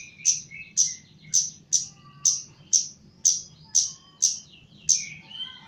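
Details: Caged Chestnut-capped laughingthrush from Java, trained for mental steadiness, repeats loud high chip notes about every half second in gacor style, each trailed by short lower whistled flourishes, over quiet low hum.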